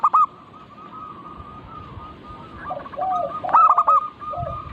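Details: Local zebra doves, a group recording meant to coax other doves into singing: overlapping series of short, clipped cooing notes, a loud stuttered coo burst at the start and again near the end, with steady low background rumble.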